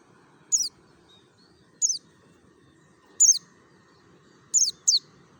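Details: Mountain white-eye, Merapi, singing ngalas (wild) style as a lure recording: high, thin downslurred notes at irregular intervals of about one to one and a half seconds, the last as a quick double.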